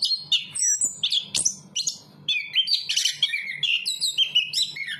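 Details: Rich, varied song of a Chestnut-capped thrush, quick chattering whistles mixed with descending slurred notes, faint low background hum.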